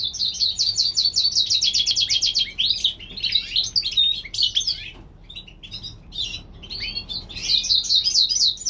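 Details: Spring singing from a California-bred European goldfinch hybrid opens with a fast rattle of about a dozen identical high chirps. It turns into varied tinkling twitters, pauses briefly, then ends on another quick trill.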